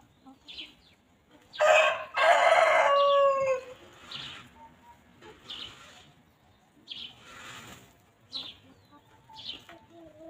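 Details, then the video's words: Free-roaming chickens walking, grazing and pecking at fresh grass on a peaceful farm; a loud, drawn-out harmonic squawk lasting about two seconds, followed by shorter, softer clucks and chirps spaced through the quiet background. "Chickens Pecking and Clucking"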